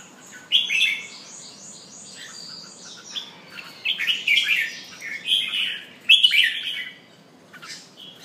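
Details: Singing red-whiskered bulbul, pumping as it sings, delivers a series of bubbly whistled phrases roughly every second, with rapid high notes between them.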